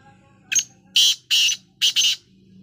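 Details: Black francolin calling while dust bathing, playing in the soil: one short click followed by four harsh, grating bursts in a quick broken phrase, over a faint low hum.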